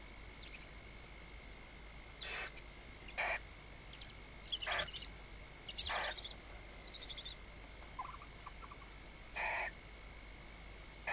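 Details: Barn owls inside a nest box at Riet Vell nature reserve in the Ebro Delta, night of 21 October 2025, as the male brings prey. Short, harsh, hissing bursts come irregularly every one to two seconds over a faint steady tone.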